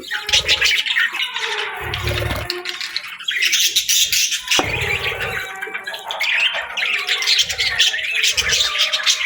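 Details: Budgerigar chirping in the morning: dense, high twittering warble of rapid chirps and squeaky notes, almost continuous, with occasional low thumps underneath.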